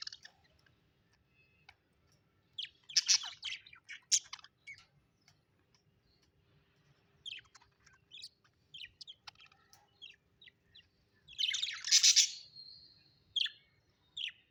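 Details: Happy budgerigars kept as pets, giving sparse sharp tweets and short chatter bursts spread through the recording, with one longer loud grating squawk-like chirp near the end and quiet spells between.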